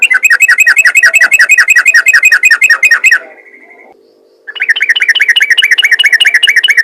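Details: Yellow-vented bulbul call in the ropel ngalas manner, used to draw in other bulbuls: long runs of quick, clipped chirps repeated about three a second, broken by a second-long pause before an identical run resumes.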